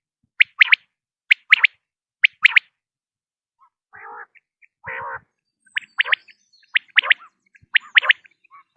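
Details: Common quail sound for attracting quail when hunting: sharp high three-note phrases repeated regularly, a pause, then two low rough buzzy notes before the quick triple phrases resume.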